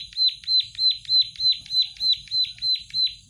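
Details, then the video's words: Plain prinia in full song, repeating a bright, piercing note that drops in pitch, evenly spaced at roughly three per second, loud and steady throughout. "master burung prenjak sawah gacor"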